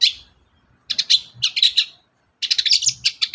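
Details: Long-tailed shrike in full lively song used to provoke other birds to sing: one rasping note, then two runs of rapid, scratchy chattering notes, broken by a short pause, with faint low thumps underneath.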